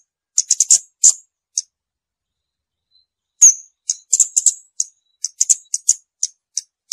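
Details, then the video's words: Scarlet-backed flowerpecker giving scattered thin, very high ticking notes, some in quick clusters, with a sharper high note midway followed by a loose stream of short clicks; background otherwise silent. "เสียงนกชมพูสวน, นกขุนช้างขุนแผน, Scarlet-backed Flowerpecker Song."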